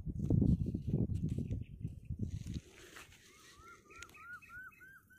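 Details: Grey francolin, known locally as teetar, recorded during hunting. Low rumbling voices and handling noise come first, then a series of clear rising, whistled notes repeated about twice a second.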